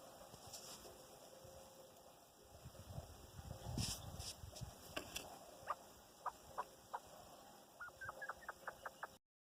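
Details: Chukar partridge chicks alongside their mother give soft rising peeps, spaced irregularly and growing more frequent toward the end, after an earlier burst of rustling noise.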